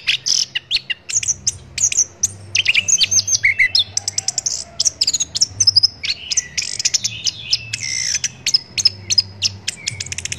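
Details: Orange-headed thrush song as a training recording for songbirds: varied high chattering phrases of quick notes, short whistles and scratchy bursts, with a low steady hum underneath.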